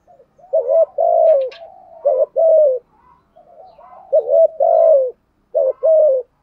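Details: Decoy spotted dove cooing to draw rival wild males. Repeated mellow phrases of a short rising note and a long falling coo, with soft low murmurs between them. One faint click is also heard.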